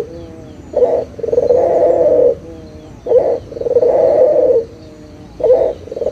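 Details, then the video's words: Barbary dove coo used to prompt silent doves: a regular pattern of a short clipped note followed by a long throaty purr, repeated three times with quiet gaps. "SUARA PIKAT PUTER LOKAL GACOR_SUARA PANCINGAN BURUNG PUTER MALAS BUNYI AGAR BUNYI LAGI"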